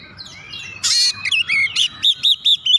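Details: Oriental magpie-robin lure song for sluggish magpie-robins: a harsh, noisy burst, then twittering notes and a series of evenly spaced arched whistles, over a low background hum.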